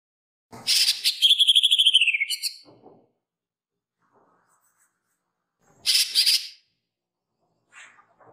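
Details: A green leafbird gives two loud bursts of song that include imitated woodpecker notes: fast, bright, rattling notes with a descending slurred phrase, plus a few soft sounds in the pauses.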